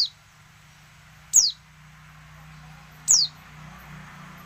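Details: Female oriental white-eye calling to draw silent males into song, as in the wild: three thin, high, down-slurred whistles, spaced roughly every one and three-quarter seconds, over a soft background hum.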